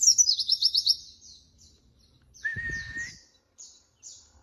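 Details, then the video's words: White-eye (pleci) singing in a recording made as tutor material for other songbirds: fast high chattering trills in rapid repeated notes, then a long steady whistled tone with a low rumble beneath and scattered high chirps. "masteran bahan burung pleci terbaik"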